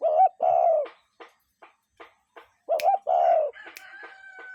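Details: Wild cuckoo calling in nature: two short-long note pairs, a small gap of soft ticks between, then a faint steady tone running on at the end.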